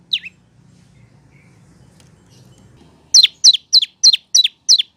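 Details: Prinia, locally prenjak lumut or lancur, singing as a training song for cage birds: one lone downslurred chirp, a pause with low rumble, then six sharp, high notes falling in pitch, about one every quarter second.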